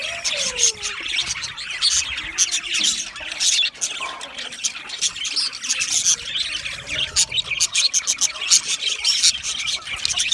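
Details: Budgerigar chatter intended to soothe lonely budgies; continuous busy warbling of high chirps, clicks and squeaks, growing choppier toward the end, with a low descending whistle near the start.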